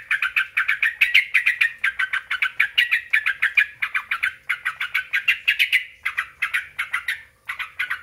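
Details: Lure recording of a sooty-headed bulbul meant to draw replies from other bulbuls: a dense stream of bright, bubbling chirps delivered in quick succession for about eight seconds, with a brief pause near the end.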